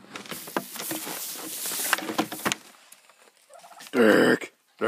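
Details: Morning turkeys: after a stretch of rustling and scuffling noise, a short, loud, rattling gobble bursts out near the end.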